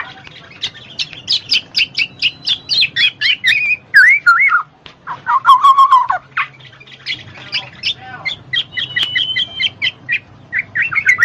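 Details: Black-naped oriole (kepodang mas), a recording meant to prompt lazy birds to sing. A rapid series of short chirps leads into mellow, looping fluty whistles and a rolling liquid trill. More fast chirping and a few sustained thin notes follow.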